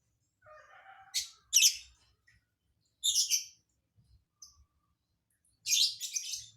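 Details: Lovebird singing an unusual, hard-to-predict filler song: a soft warbled lead-in, then harsh, buzzy high chirp bursts in three clusters separated by short silences.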